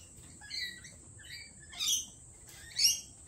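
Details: At a cafe, lorikeets give a few thin, high chirps, then two loud, shrill, grating screeches about a second apart, each rising briefly and then breaking off.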